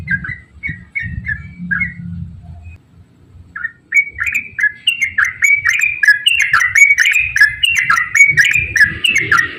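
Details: Yellow-vented bulbul in lively ropel-style song used as a lure to set other bulbuls singing: a few short warbled notes, a pause, then a rapid, continuous run of bubbly, slurred whistles with faint low rumble beneath.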